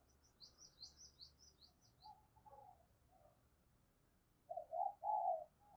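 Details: Decoy spotted dove giving its urging and calling coos to lure and train other doves: soft low coos, then a louder group of three rounded notes near the end. Faint high chirps from another bird come early.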